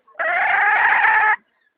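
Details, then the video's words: Hen holding one loud, nasal, steady squawk for just over a second, rich and buzzy with even pitch throughout, then silence. "Suab poj qaib seev zoo heev"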